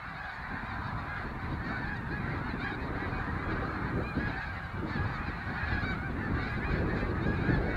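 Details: Migrating snow geese calling as a large flock: a dense, continuous wall of overlapping nasal honks and yelps with no break, joined by a steady low rumble that grows slightly louder toward the end.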